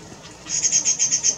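Rufous-breasted bush robin giving a rapid, very high-pitched series of thin ticking notes, about eight per second, over quiet background.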